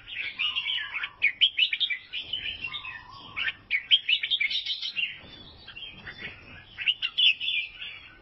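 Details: Albino sooty-headed bulbul, Vietnam, singing in rapid chattering bouts of bright chirps roughly every two to three seconds, with occasional lower whistled slurs between bouts.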